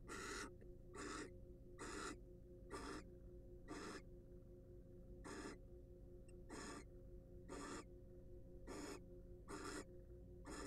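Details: Around a dozen harsh hissing screeches from a wild barn owl at a research nest-box camera, coming about once per second, with a steady electrical hum underneath.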